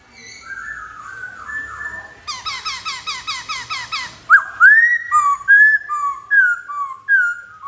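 A Black-throated laughingthrush sings loud, mellow whistles, a fast chattering run of repeated notes, then rich upslurred and falling phrases about once a second.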